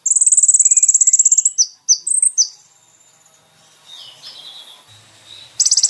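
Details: Caged-bird training song of a kolibri ninja: a sustained very high buzzing trill, then a few sharp high slurred notes, a near-silent stretch with faint soft sounds, and a new high trill starting at the end.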